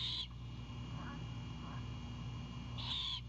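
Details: Great horned owlet in a Savannah nest at 22:21 on 4/7/22 greeting its mother with prey: a screech cut off at the start, faint soft notes, then a second harsh hissing screech about two and a half seconds later; continuous hum.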